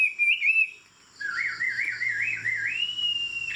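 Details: Tame Chinese Hwamei with a fig-leaf-shaped tail, singing from a high perch: a short clear whistled phrase, a brief pause, then a rolling, wavering whistled warble that ends on a long steady high note.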